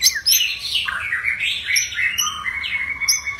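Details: White-rumped shama in aggressive full song, used to trigger other shamas to sing: a dense, unbroken stream of warbled, sliding whistles and buzzy notes.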